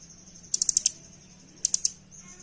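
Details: Velvet-fronted nuthatch, known locally as rambatan, song used as a master recording to train caged birds: fast bursts of five then three sharp, very high ticking notes, over a steady high whine and low hum.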